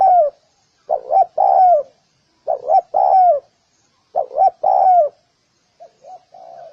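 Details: Mellow, throaty coos from a spotted dove: a clipped double note leading into a longer sliding coo, phrases repeated roughly every one and a half seconds, ending with softer, quieter coos.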